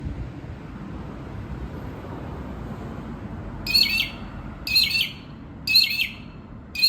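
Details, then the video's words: A young magpie gives harsh, raspy, ominous-sounding calls about once a second, four in a row after a quiet start, over a low background rumble. "A little magpie making ominous noises"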